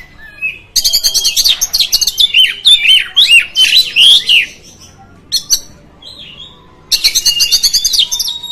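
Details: Oriental magpie-robin singing to provoke rival magpie-robins: rapid series of loud, scratchy and whistled notes with looping rising-falling phrases, a brief pause, then another dense burst of harsh chattering notes.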